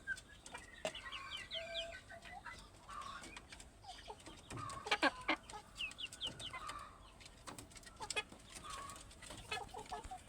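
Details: Plump free-range village chickens calling in a busy yard: repeated high, slurred clucks and squeaky chirps in short bursts, with scattered clicks, rustling, and brief human voices in the background.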